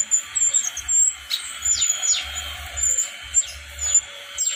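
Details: Wild-caught Brown-chested jungle flycatcher from Bali gives high, thin whistles with quick downward-sliding notes every half second or so. A constant high hum runs underneath, with faint low thumps.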